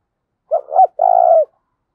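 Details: Spotted dove cooing to spur decoy doves: a single clean phrase of two short bouncing notes and a long drawn coo that dips at its close.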